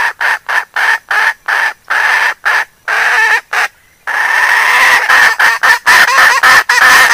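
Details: Hen and chicks calling back and forth, with loud, harsh clucks repeated about three times a second. A longer unbroken rasping stretch follows, then the rapid bursts resume.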